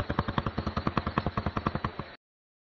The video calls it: Shoebill Machine Gun Sound